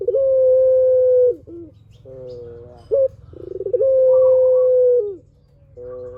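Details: Long-voiced spotted dove song meant as a lure for answering doves: two drawn-out level coos that fall away at the end, separated by short sharp notes and buzzy, stacked lower phrases, over a faint low hum.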